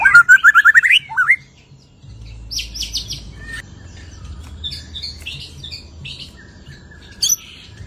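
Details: White-rumped shama singing after its moult: a loud burst of fast, rising, chattering whistled notes opens the clip. Faint scattered high chirps and low hum follow.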